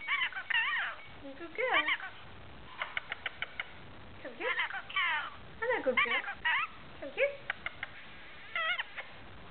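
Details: Pet rainbow lorikeet chattering in bursts of harsh, wavering notes and quick rapid-fire clicks, some rising and falling in pitch, with short pauses between phrases, indoors.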